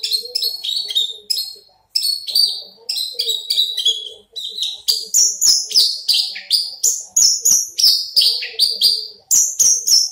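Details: Caged Horsfield's bush lark, big-bodied and crested, delivers rapid strings of high descending buzzy notes, about three per second, a short pause near the start, rising higher in the second half.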